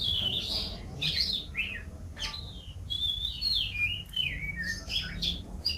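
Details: National champion canary song with varied whistled phrases, short rising and falling slurs and warbled notes, moderately loud over low background hum.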